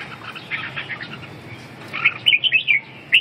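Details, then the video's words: Red-whiskered bulbul: soft chattering notes at first, then a clear run of loud, bright whistled notes with quick pitch sweeps. "Kênh về chim Chào mào"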